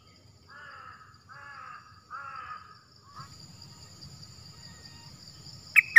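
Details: Wild cream-vented bulbul approaching a caged decoy bird but refusing to land on the trap cage; three short, bubbly warbled phrases in quick succession, then a brief note, over a steady high insect drone, low rumble and two sharp knocks at the end.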